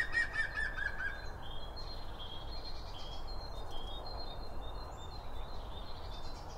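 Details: Binaural recording at a bird feeder where birds eat and call: a short run of quick descending chirps opens the clip, followed by a string of thin, level whistled notes, all over a steady low rumble.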